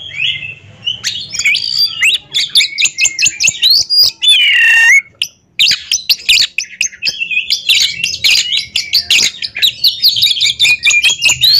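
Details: Oriental magpie-robin dueling in a ring singing contest: long, energetic flow of chattering, whistled and mimic-like notes, a loud descending buzzy phrase near the middle, then more rapid twittering.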